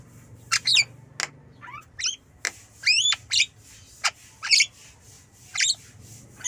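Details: Javan myna (jalak kebo) kept as a pet bird, giving a series of short, harsh squawks and sharp whistled notes with rising and falling sweeps, spaced irregularly with brief pauses, against a low steady hum.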